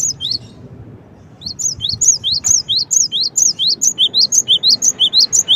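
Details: Gelatik batu, the cinereous tit, giving a long run of sharp, high chirps, each a quick upward flick then dip, steadily repeated and growing louder toward the end.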